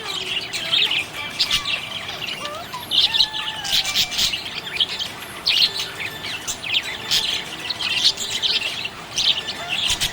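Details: Flock of happy budgies chirping, long run of high twittering and warbles with scattered sharp clicks and small squawks, rising and falling in loudness, several birds overlapping.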